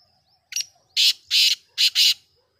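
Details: Titar, the black francolin, recorded 5-7-2023: a short scratchy opening note and then four strident, rasping bursts grouped as two pairs, loud and clear over near silence with a thin steady high whine.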